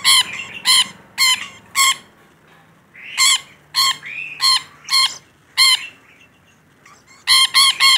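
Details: Rainbow lorikeet, one vocal bird, giving a run of about a dozen harsh rasping screeches in quick bursts. A brief lull with soft warbling chatter comes before the loud screeching resumes.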